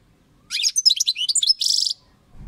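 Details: A European goldfinch delivers a quick liquid twitter of bright high chirps and slurred notes, closing with a brief rasping buzz, all in under two seconds.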